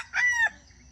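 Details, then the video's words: Wild junglefowl crow used to lure wild chickens into traps, 31 July 2026. Only the final part is heard: a single hoarse, sustained note of about a third of a second that drops away at the end. "Wild chicken traps are fascinated by the sound of chickens crowing."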